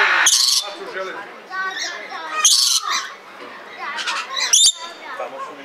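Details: Red lory in Belgrade Zoo, Serbia, recorded in 2022: harsh broadband screeches burst out about every two seconds, with softer chattering notes between them.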